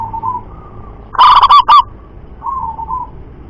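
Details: Gentle coos from a local zebra dove frame a central burst of loud, clipped, rolling notes, with a softer wavering coo following afterwards.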